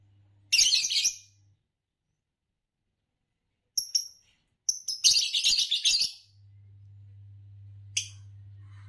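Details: Fischer's lovebird chirping: a harsh, high burst of rapid chirps, a short squeak, then a longer run of scratchy chirps and one final sharp note, over a low steady hum.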